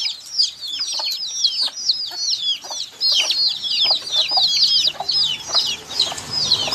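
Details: Young chicks keep up a thick chorus of high, piercing peeps. The notes are short and arched, tumbling over each other with little pause, over a faint low background hum.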